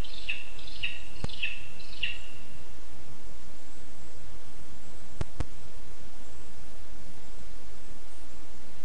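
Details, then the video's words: Lesser spotted eagle chick begging for food at a nest in a spruce in Zemgale, Latvia, 20 August 2024: four thin, high piping calls about half a second apart, then quiet, with two sharp clicks and a steady low rumble. "ПТАШЕНЯ ВИМАГАЄ ЇЖУ. ПІДОРЛИК МАЛИЙ."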